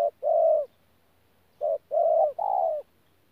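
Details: Tu Mơ Rông, 14 January 2019: a local decoy spotted dove giving 'pha gù' coos, a long low note, a pause, then a short note and two drawn-out coos close together.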